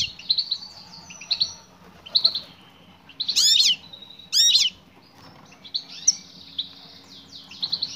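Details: European goldfinch female calling to a male, giving scattered high twittering chirps with two louder, longer bursts of rapid, sweeping notes near the middle, then softer tweets.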